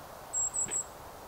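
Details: A Golden-crowned Kinglet singing in forest at Birch Bay State Park, Blaine, Washington, gives three very high, thin, slightly buzzy notes in quick succession, over a soft outdoor hiss.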